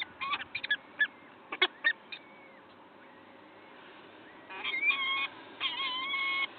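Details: Peregrine falcon at a Wakefield nest site, early morning of 5 May 2021: quick bursts of harsh, clipped chattering notes, then longer grating, harmonic wails with a thin whistled overtone near the end.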